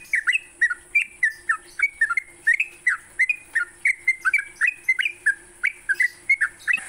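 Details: Training lure of Sooty-headed bulbul song in the morning: continuous bright, bubbling whistled notes, each slurring down then up, repeated roughly three times a second, with a constant high electronic tone.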